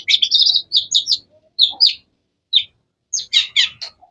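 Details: Long-tailed shrike giving clusters of sharp, melodious high chirps separated by short pauses, finishing with a quick burst of harsh notes.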